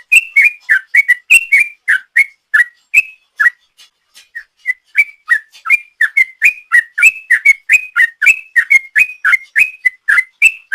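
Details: Sooty-headed bulbul singing a long ropel-style song used as a lure: rapid chains of short, clear whistled notes, rising and falling, about three to four per second, with a brief pause midway.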